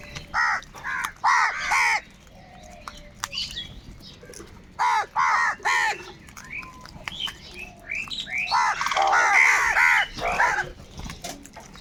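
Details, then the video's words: Huge numbers of crows crowing and crying, bursts of harsh repeated caws from several birds, a pause with scattered distant calls, then a dense overlapping chorus near the end. "Kaka sound and noises of Crow birds | Huge numbers of crows crowing and crying sounds"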